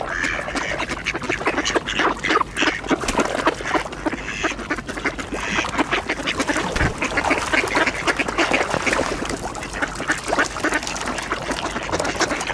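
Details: Flock of mallard ducks with Eurasian coots and swans in a feeding frenzy at an ice hole; steady, crowded racket of raspy quacks, splashing water and flapping, no single bird standing out.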